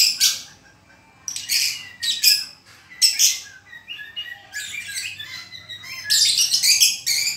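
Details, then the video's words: Trotolan-style song of a white-rumped shama, with rapid clusters of shrill, high notes and short whistled slurs in irregular bursts, separated by short silences. "BUNYI BURUNG MURAI BATU TROTOLAN KE2"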